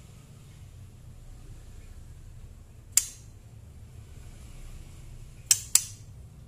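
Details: Three sharp, brief clicks stand out against a quiet, steady low hum, with no animal voice anywhere.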